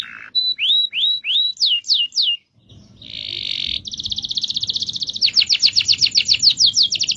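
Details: Canary master song bird with a long rolling song: repeated rising-falling whistled notes, a short pause, then a dense buzzy roll followed by quick repeated sweeping notes, faint low background noise.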